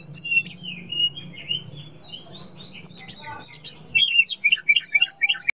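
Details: Master song of a young wild-caught white-rumped shama for training birds to copy other species' calls. Varied chattering whistles and short chirps tumble quickly, about two a second, over a steady low hum.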